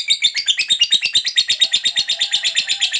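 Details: Long 'ngekek' chatter of a lovebird fighter, played to provoke other lovebirds into singing: fast, even, high-pitched rattling notes pulsing steadily throughout, with a faint lower tone underneath.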